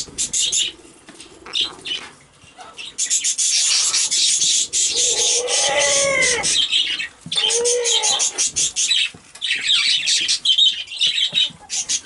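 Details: A pet monk (Quaker) parakeet says "I love you" in short, throaty, human-like phrases over loud rustling and scratchy noise.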